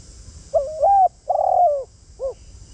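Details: Spotted dove kept as a lure bird, calling to draw in wild doves: a short series of soft, hollow cooing notes, the first two joined, then a longer drawn coo and a brief final coo, over quiet low background hum.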